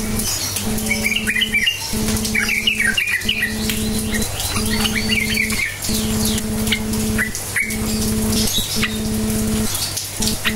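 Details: Sooty-headed bulbul song in the bubbly 'cukcuk nguplik' style, used as a lure to spur silent bulbuls into answering song: short warbled, chattering phrases repeated every second or so over a steady electrical hum.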